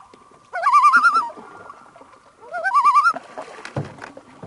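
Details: Common Loon on a lake deep in the Canadian forest, far from any town; two loud, rapidly wavering tremolo calls about two seconds apart, with light background rustling afterwards.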